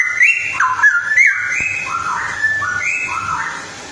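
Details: Straw-headed bulbul, a female, delivering loud liquid warbling: rolling whistled phrases that slur up and down in quick succession, gurgling and melodious, fading slightly toward the end over a soft low hum.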